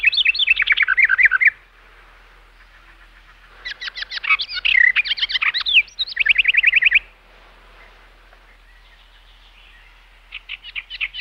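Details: Birds chirping in bursts: a fast, high chirping trill, a quiet gap, then about three seconds of rapid chirps and slurred notes. After another pause, a few rising chirps begin. Faint background hiss.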